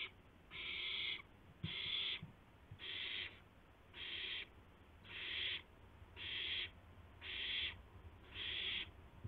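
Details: Owl with a gopher at 2:51 AM, 2 April 2016. Eight harsh, hissing screeches come at a very even rhythm, roughly one every second, over low background hum and a few soft thumps.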